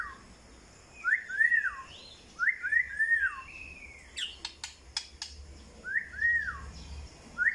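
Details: White-rumped shama (murai batu) singing clear whistled phrases that rise and fall, in bursts about every one to two seconds, with a few sharp clicks near the middle and a quiet low hum beneath.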